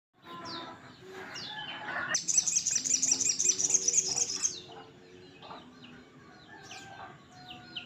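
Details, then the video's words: Sunbird (sogon) singing energetically: a thin, very high, rapid trill runs for about two and a half seconds, over lower chirps, clucking and other bird calls in the background. "Burung sogon gacor"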